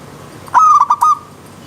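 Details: Wild zebra dove song, mixed with a river stream: one quick phrase of four or five mellow, rolling coos, clipped and stuttering, over a faint steady background.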